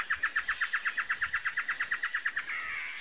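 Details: Red-eyed great antshrike of dense shrubby edges and clearings giving a rapid run of clear, repeated notes, about three per second. The notes fade after two and a half seconds into a short, harsher, buzzier ending.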